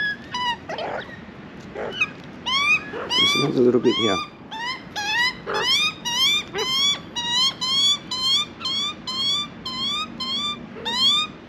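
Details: Hungry juvenile Australian magpie in Australia, arriving late and being fed by hand, giving rapid rising squeals about twice per second, with a man's voice and handling noise early on.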